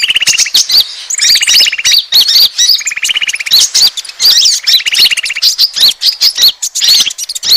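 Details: Asian glossy starling chatter used as a bird lure, opening with a buzzy rattling trill, then bursts of squeaky, up-and-down whistled chirps; the rattling trill returns three more times amid continuous high twittering.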